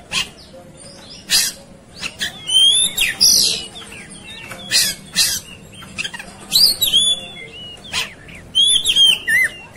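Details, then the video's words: Agitated Oriental magpie-robin in fighting mode alternates loud harsh rasps with varied whistled slurs and high chirps, bursts coming every second or so. "Kacer Ikut Ngamuk Tarung"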